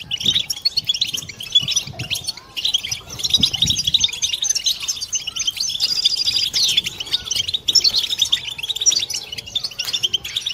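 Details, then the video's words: A group chorus of European goldfinches meant to stir silent birds and females into courtship song: long unbroken bright twittering, liquid trills and buzzy phrases overlapping, with faint low rumbling beneath. "بتبتة حسون جماعية ضرورية لعلاج سكوت+تحفيز إنات لحسون قوى بتبتة جماعية لتحفيز حسون على تغريدة تزاوج"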